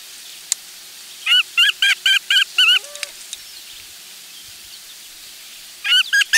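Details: Loon family of two parents and a chick on their last day at the nest before leaving for the brooding area, July 16, 2024; a burst of about five short, quick, harmonic notes, a brief lower note, then more rapid notes at the end.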